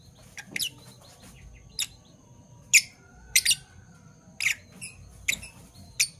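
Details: Two pet Parblue Fischer's lovebirds, one violet and one turquoise, calling in the morning: scattered sharp, shrill chirps spaced irregularly, with quieter ticking notes between them and a faint steady hum underneath.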